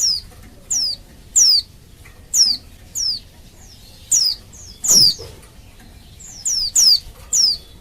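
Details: Oriental white-eye female in breeding condition calling males to set them singing: a steady run of about a dozen thin, high, downslurred whistled notes, roughly every half second, one with a brief low thump.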